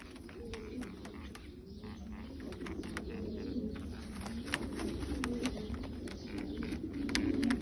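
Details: Bulgarian pigeons cooing in low, rolling phrases that grow louder toward the end, with rapid clicks and taps running throughout.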